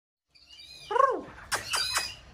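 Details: White-rumped shama, a singing-contest bird in peak season, played to stimulate another bird to sing: a slurred, mewing downward note with bright overtones, then a burst of sharp clicking strokes and short whistled notes.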